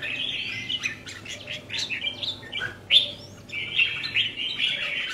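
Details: Red-whiskered bulbul kept in a cage sings a lively, continuous warbling chatter of varied whistled notes, with a few louder sharp upslurs standing out midway.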